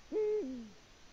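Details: At a Latvian nest on 14 February 2020, a Eurasian eagle-owl utters one low hoot that starts abruptly, holds level briefly, then drops away in a fading downward slur; no other sounds.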